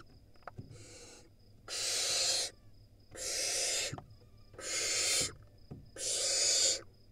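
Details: Screaming barn owl nestlings, wild in Israel, direct their calls at a sibling that got to the nest entrance. A faint screech is followed by four loud, rasping hisses under a second each, evenly spaced with quiet clicks between.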